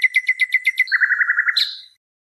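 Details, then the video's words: Nightingale song from a song tape: fast repeated chirping notes, then a lower, quicker rattling series, ending in a short rising whistle, with no other sounds. "شريط تغريد عندليب"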